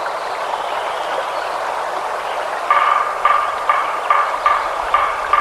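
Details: A woodpecker taps in the last few seconds, with sharp knocks a little over two per second. A steady rushing hiss fills the otherwise birdless forest at Lincoln Meadow, California. The recording was made a year after selective logging in 1988.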